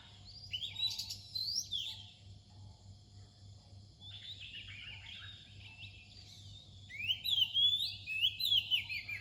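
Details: Near dawn, an Oriental magpie-robin sings clear, varied whistled phrases in bursts separated by short pauses, with slurred up-and-down notes. The last phrases are louder and richer, over a faint constant low hum.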